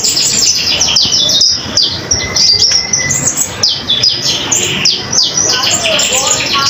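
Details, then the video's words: Common iora singing vigorously as a tutor for other songbirds: dense, rapid high chirps and twittering, brief pauses between bursts, a few lower slurred notes near the end, constant hiss behind. "Konin Gacor Untuk masteran burung kicau yang lain"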